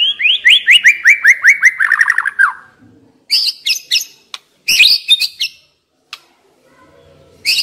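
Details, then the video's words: White-rumped shama kept as a decoy bird, singing a rapid descending series of clear whistled notes, then bursts of high sharp chattering phrases separated by short pauses. "Chòe lửa mồi hót cực hay"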